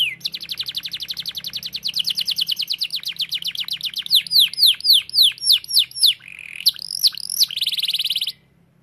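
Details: Canary singing vigorously: a long rapid rattling trill of evenly spaced notes, a series of strong arching swept whistles, a brief warble, and a final buzzy trill that ends suddenly; faint low hum.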